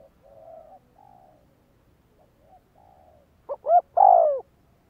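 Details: Faint, muffled coos drift in before a spotted dove, kept as a training decoy, delivers one loud, clear phrase near the end: two short hollow notes and a long coo sliding downward.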